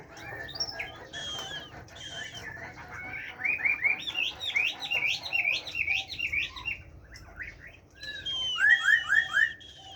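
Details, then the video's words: Caged Chinese hwamei with a forest-style voice (giọng rừng), singing a varied song: mellow opening whistles, then a rapid series of rising-falling warbled notes, and a final burst of repeated swooping phrases. "Họa Mi hót . tiếng chim họa mi hót giọng rừng nuôi"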